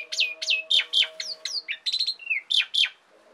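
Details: Asian pied starlings in full song: loud, high, falling whistles repeated in quick pairs, mixed with rattly bursts and short slurred notes, over a faint continuous low hum.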